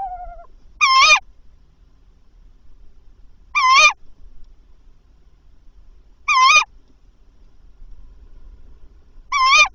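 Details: Tawny owls at a nest at 21:50, calling before the male delivers a mouse: four loud, harsh, rising shrieks spaced about two and a half seconds apart, with quiet between.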